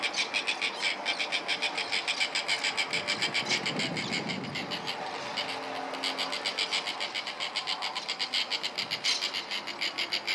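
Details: White-fronted terns in New Zealand during mating, a dense chorus of harsh, grating calls pulsing steadily about three or four times a second, with a faint low hum and a brief lower rumble partway through.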